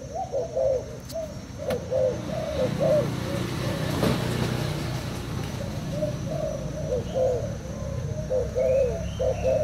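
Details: Caged Thai spotted dove cooing against a decoy bird; repeated rolling coos continue while a vehicle passes, its broad rumble swelling midway and partly masking the calls.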